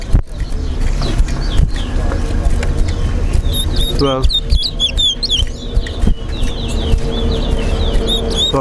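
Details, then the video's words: A chestnut-bellied seed-finch (towa towa) at a Guyanese bird-whistling competition sings rapid, high, warbled whistled phrases in the second half, over steady low crowd rumble, a man counting aloud and some music. "TOWA TOWA BIRD WHISTLING COMPETITION"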